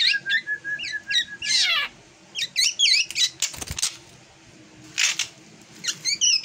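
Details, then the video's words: Drongo with an unusual song: repeated whistled slurs and a descending rasping sweep, then a pause followed by scattered whistles and a harsh burst. "Kicauan Aneh Burung Srigunting Yang Tak Seperti Biasanya"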